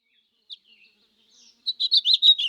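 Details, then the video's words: A goldfinch sings a quick run of bright, tinkling twitters, about six notes in under a second, after a faint opening chirp. "Gold Finch Sounds"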